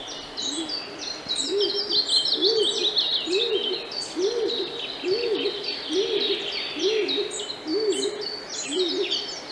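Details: Stock Dove (Columba oenas) in Central Russia gives deep, hollow double-noted coos, each rising then dropping, repeated about once a second, over busy high-pitched twittering from small songbirds.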